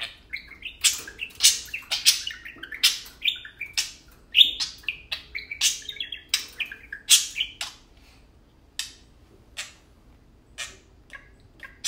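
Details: Two tame pet parakeets (budgies) chatter indoors while playing, in quick, scratchy chirps and warbles, bursts coming every half second or so, then thinning to scattered single chirps.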